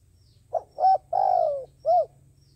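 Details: Decoy dove kept for trapping, cooing to lure others: two short hooted notes, a long drawn-out coo sliding downward, then a final rounded note, over a low rumbling hum.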